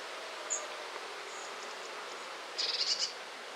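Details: A Common firecrest in Limousin, central France, in late October 2013 (autumn) gives a very high, thin single note, then a quick run of five or six sharp, needle-like zit notes, over a steady background hiss.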